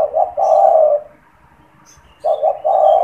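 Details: Caged spotted dove that coos often, especially when people are near, used as a lure to stimulate and trap wild doves. Two rhythmic, mellow cooing phrases of three-part low notes, separated by a brief silence.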